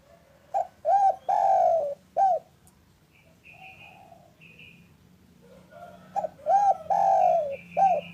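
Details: Spotted dove, local type, cooing in the afternoon as a lure for quiet doves: two full phrases of clipped hoots, a long coo and an ending note, with thin whistles from other birds in the pause.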